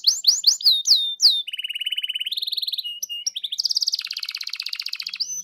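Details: Canary singing to spur another canary on: a handful of sharp down-slurred whistles, then a low even trill, a higher trill, and a dense bright rolling phrase ending in a whistle.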